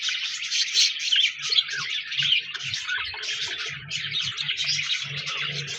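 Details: Continuous chattering of budgerigars, overlapping high, scratchy twitters and warbles rising and falling in loudness, with soft low knocks in the background.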